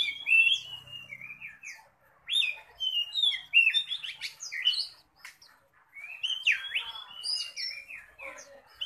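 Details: Fiercely singing Oriental magpie-robin, contest-ready and puffed up in display: rich, varied whistled phrases with swooping slurs and sharp chips in bursts of a few seconds, broken by short pauses; a faint low hum early on.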